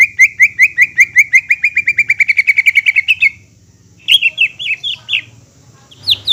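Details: Greater green leafbird song meant to spur a quiet bird back into singing: a rapid rolling trill of repeated chips rising slightly for three seconds, a pause, then a few sharp squeaky slurred notes.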